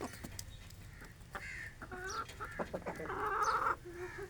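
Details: Aseel rooster and hens feeding on grain during a village morning; scattered clucks build into a loud, sustained harmonic squawk lasting about a second, followed by softer clucking.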